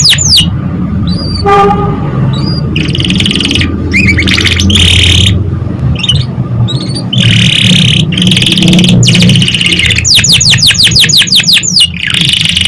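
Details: Lively canary song used to coax juvenile canaries into song: alternating buzzy rolls and clipped chirps, then a run of about ten rapid sweeping notes near the end, with low rumbling background noise throughout.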